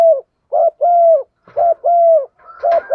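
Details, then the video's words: Low hollow coos from a female spotted dove urging a male, short and drawn-out notes alternating quickly, with a faint higher whistle near the end. "Tiếng chim cu gáy MÁI kích trống, chim cu mái thúc gù"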